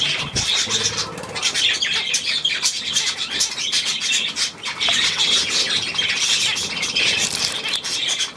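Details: Budgerigars recorded on 9 February 2024, a dense, continuous mass of high chirps, squawks and warbling chatter from many birds overlapping throughout, with faint wing flutters.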